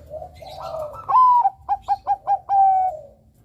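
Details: Single loud song phrase from a Bangkok-type zebra dove, used as a lure: quiet low cooing, then a bright sliding note, four evenly spaced short coos and a drawn-out final note.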